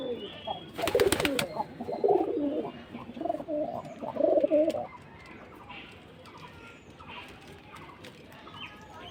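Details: Several pigeons kept in a loft, calling constantly after eating; low, rolling coos repeat over about four seconds, with a sharp burst of clattering noise early on, then the loft falls quiet apart from faint background rustle.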